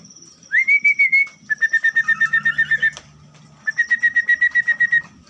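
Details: Orange-headed thrush kept in a colony breeding cage: a bright upslurred whistle, then a quick run of even whistled notes about four per second, a short pause, and a second similar run, over faint high insect-like hiss.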